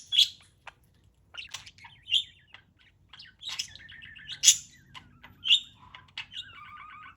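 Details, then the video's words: Parrot playing, scattered sharp chirps followed by stepped warbling trills that fall in pitch near the end, with a soft low background hum. "Bird Playing with Chirping Sounds"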